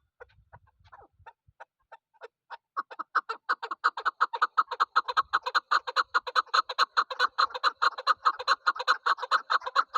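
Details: Calling female chukar partridge from the hills, used as a hunting decoy: scattered soft clucks build into a fast, steady stream of hard, nasal chukking notes, several per second, continuing loud to the end in a quiet setting.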